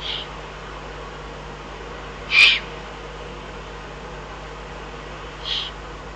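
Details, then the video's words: Eurasian eagle-owl recorded in the Eifel on 22 June 2012, giving brief raspy high calls: a faint one at the start, a strong one midway and a softer one near the end, with a constant low hum behind. "eifel uhu 2012 06 22 activities"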